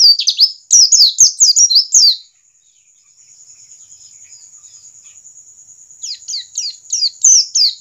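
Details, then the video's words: A white-eye (pleci) gives rapid, high, twittering song in quick bursts of chirpy notes, with a steady high insect-like whine between bursts; a standard "ngalas" song said to speed up captive white-eyes starting to sing. "pleci ngalas standar, justru ini yang dapat mempercepat pleci buka paruh"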